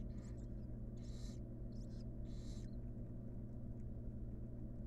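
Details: Nest box of wild barn owls where the last of six nestlings hatched today: four harsh hissing bursts in quick pairs, then quiet, over a persistent low hum.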